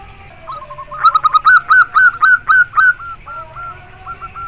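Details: Local-type zebra dove, a kept bird, singing a clear run of soft cooing notes, each short and slightly upslurred, about four per second, slowing toward the end into spaced single coos.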